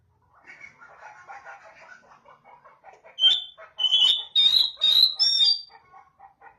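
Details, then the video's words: Oriental magpie-robin calling, a call used to prompt other magpie-robins to answer. A soft, varied chattering twitter gives way to four loud, high, piercing whistled notes, each about half a second long. "Kicau pangilan KACER... dengarkan di jamin kacer anda pasti nyaut.."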